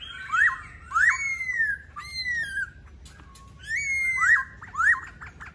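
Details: Laughingthrush song of ringing whistles: sharp upward swoops paired with long falling slurs, in two bursts with a short pause between, over a quiet background hum.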